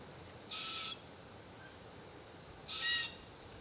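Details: Young Forest Red-tailed Black-Cockatoo of the subspecies naso complaining in a Marri tree as the adult pair eat gumnuts; two rasping, drawn-out cries roughly two seconds apart, the second louder and harsher.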